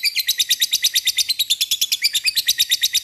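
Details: Lovebird ngekek meant to draw a rival's response: an unbroken, fast, harsh chattering trill of high notes, even in pace and loudness.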